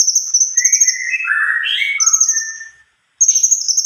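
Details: Cucak kombo giving a long rolling song: high, rapid trills over lower sweeping warbled phrases, fading into a short silence before another shrill trill starts.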